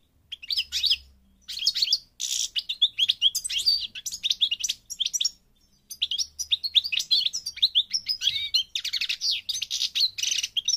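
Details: Moroccan European goldfinch, subspecies parva, sings almost nonstop: rapid high tinkling twitters and buzzy trills in long runs, broken by two short pauses. Very clear, with only faint low rumble underneath.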